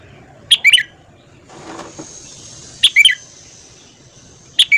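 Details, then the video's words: Morning singing of a red-whiskered bulbul for voice training: three loud, crisp phrases of quick, slurred whistled notes spaced roughly two seconds apart, with a soft rustle between the first two. "luyện giọng chào mào hót sáng"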